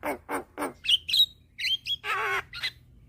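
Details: Young white-eyed Javan myna, calling while nodding to draw in hybrid mynas. It gives three rasping notes, then high whistled slurs and a long nasal, buzzy squawk.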